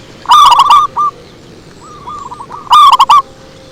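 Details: Zebra dove lure song, a strong burst of fast bubbling coo notes, one isolated note, a softer rolling run from another dove, then a second loud burst.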